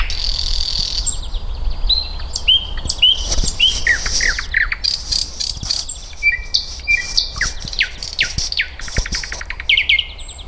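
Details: A nightingale in an eco park in May 2024 sings a rich, varied song: pure rising whistles, rapid repeated clicks and rattling trills, in quick phrases with short pauses, over a low background rumble.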